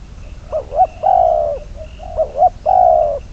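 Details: Decoy spotted dove used in trapping, bird number 22, repeating its phrase twice: a pair of short upturned coos, then a drawn-out mellow coo, with a pause of about half a second between phrases. Quiet background.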